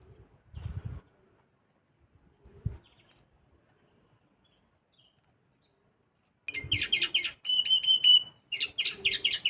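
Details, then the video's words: Mixto canary hybrid in contest preparation, silent at first apart from a couple of soft low knocks, then breaking into bright fast chirping phrases with a brief sustained ringing trill. "mixto Camacho el rojo 2025. Buena preparación para los concursos."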